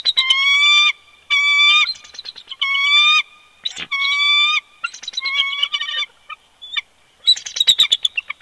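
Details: Winter duet of a bald eagle pair at their nest, Big Bear Lake, California, February 2020, captured by a nest camera: a series of long, piercing whistled squeals, roughly one a second, followed by rapid chattering notes.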